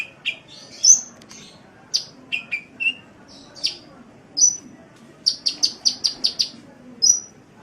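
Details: Sunbird song used as a tutor recording: sharp, high chirps and short descending slurs, then a quick series of about seven clipped, very high notes, with a final bright chip; faint low background hum.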